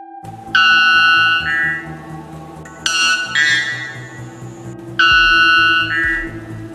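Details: A white bellbird (Procnias albus) gives three very loud, ringing metallic bursts about two seconds apart, each with a bell-like two-part tone, over soft background music. White Bellbird.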